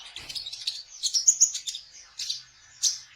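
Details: Kolibri ninja sunbird singing trotol to lure konin birds for trapping; a short, dense burst of high buzzy twittering with squeaky peaks, fading into a few spaced chips.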